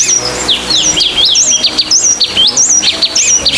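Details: Sultan tit, an Asian forest bird: loud, clear whistled notes, high and sharply sliding up and down, given in quick, uneven runs of two or three, with a short gap between bursts; a faint low hum underneath.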